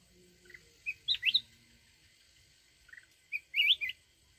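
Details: Mountain red-whiskered bulbul singing in a wild 'forest voice' style used to stir up a decoy bird: two bursts of bright, quick whistled notes that swoop up and down, separated by a short pause, over a quiet background.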